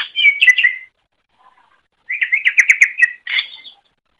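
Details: Master song of a greater green leafbird for teaching other birds, heard as two bursts of fast warbled chirping phrases separated by a near-silent gap of about a second.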